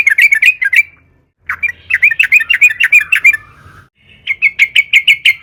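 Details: Trucukan (yellow-vented bulbul) singing vigorously as a lure for other trucukan: fast bubbly chattering phrases of wavering chirps separated by brief pauses, ending in a steady run of repeated sharp notes.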